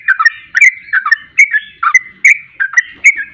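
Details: Lure recording of sooty-headed bulbul song meant to set other birds singing: short liquid chirping phrases repeated roughly every half second, clear and dominant.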